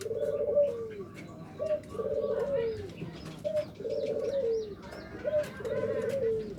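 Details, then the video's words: Local zebra dove giving nutut-style song meant to provoke rivals: short trilled cooing phrases, each ending in a falling slur, repeated about every one and a half seconds, with faint high chirps from other birds. "Pancingan perkutut lokal suara NUTUT || COCOK UNTUK MEMANCING LAWAN"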